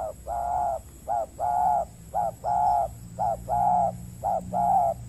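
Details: Spotted dove, a wild bird on peat ground in Riau Islands, Indonesia, reacting to a decoy used for trapping; steady hollow coos in pairs, brief note followed by a drawn-out one, repeating roughly each second.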